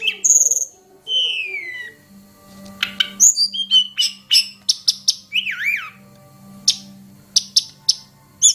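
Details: Hill prinia lure sound for teaching songbirds: an opening high whistle and long downslurred notes, then a regular series of sharp, evenly spaced high chips with one wavering warble in the middle.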